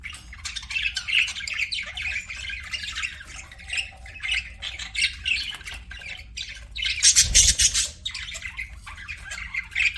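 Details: Several pet budgerigars in continuous warbling chatter, buzzy chirps and grating squawks run together, rising to a loud harsh burst near the end with a low thud.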